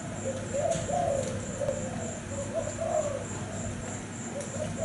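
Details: Thai-type cream zebra dove singing a run of soft, rolling low coos that rise and fall in quick succession, over a constant high electrical whine and background hum.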